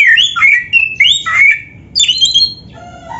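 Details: Indonesian oriental magpie-robin singing energetically in a filled style: sliding whistled phrases repeat twice, then a high, bright trilled phrase follows, and the song fades into softer low whistles.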